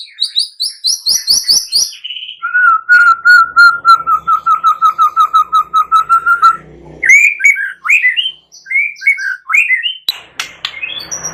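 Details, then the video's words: Energetic white-rumped shama song played as a lure to make a quiet shama sing again, mixed with cililin and prinia sounds: high rapid notes, a long steady run of repeated whistled notes, then varied rising and falling phrases. "Pancingan MURAI BATU GACOR"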